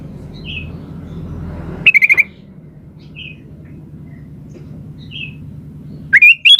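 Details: Sooty-headed bulbul giving chatty, vigorous song to draw answers from other birds: a fast rattle of short notes, faint soft chirps in between, and a loud rising whistled phrase at the end, over low hum.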